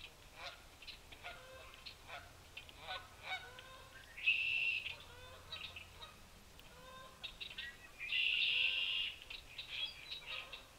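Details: A group of red-winged blackbirds at feeders on a February 27, 2023 afternoon in Ithaca, New York, returning in early spring, gives steady sharp check notes, twice broken by a loud, harsh, buzzy trill of about a second.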